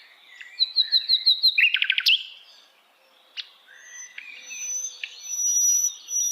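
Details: A sikatan londo flycatcher, heard in wild forest, gives a rapid series of about six identical high whistled notes, then a buzzy trill, then scattered chips and a thin sustained whistle.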